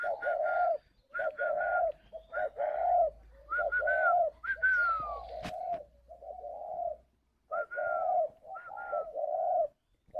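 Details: Spotted dove giving its calling coo at a dove-breeding garden in Ba Vì, Hanoi, northern Vietnam; repeated low mellow coos in short phrased bursts, some notes with a higher sliding upper tone, separated by brief pauses.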